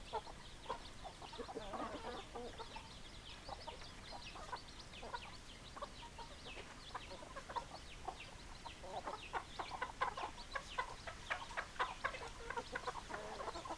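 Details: Farmyard flock of hens and roosters producing a long stream of short, sharp clucks, denser and louder in the second half, over steady low noise.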